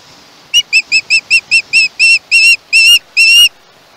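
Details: Young osprey screeching at its Chesapeake nest, live camera, 21 August 2019: a rapid series of about eleven sharp whistled notes, which stretch out and strengthen as the sequence goes on.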